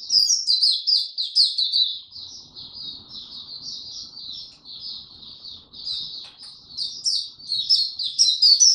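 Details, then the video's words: Oriental white-eye kept as a songbird, heard 25 January 2022 after sleeping late, pours out quick high tweets at roughly two or more per second, loud at first, softer mid-phrase, then swelling again toward the close. "Mata Puteh Hercules V2 buka tiong aw sing slept late last night"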